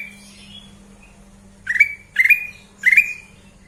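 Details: Sooty-headed bulbul, kept bird, giving three sharp rising whistled calls at about half-second spacing after a faint soft warble, with a steady low electrical hum behind.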